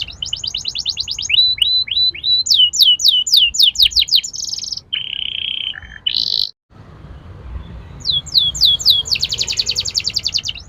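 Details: Atlantic canary song used as a lure to get young birds singing and rolling: fast trills of repeated rising sweeps, buzzy steady notes, a brief silence, then dense rapid rolling trills.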